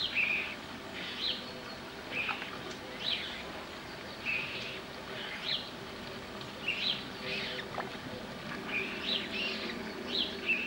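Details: Common moorhen in a central France wetland, 27 April 2012, during mating, with two young over three weeks old from the first brood, gives short, sharp, high-pitched calls every second or two over a steady low background rumble.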